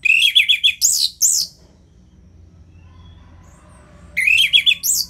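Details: Fast ngeplong phrase from an orange-headed thrush, used as a tutor for lazy singers: rapid stuttering notes rising into shrill, high squeaky slurs, a quiet gap, then the same busy burst repeated.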